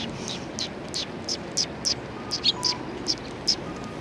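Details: Eurasian tree sparrows, a group being fed and played with by a person on 28 December 2019, giving short bright chirps, about a dozen in four seconds at uneven intervals, over a steady low background hum.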